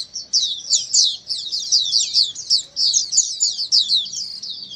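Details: White-eyes singing together to encourage other white-eyes to reply and sing; rapid, high, clear chirps and twitters overlap in a busy, steady chorus with slight rises and falls in loudness.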